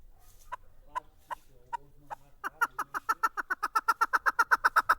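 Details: Caged chukar partridge, recorded in 2019: a few spaced, sharp clucks over a low hum, then a fast, even run of loud chuk notes, about four each second, building steadily.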